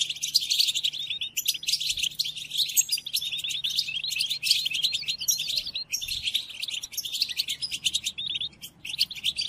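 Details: Tutor song of a European goldfinch, used by breeders to train caged birds, even during the moult: nearly continuous liquid twitters and trills in quick bursts, short gaps after two and six seconds, then a sparser, chattering end.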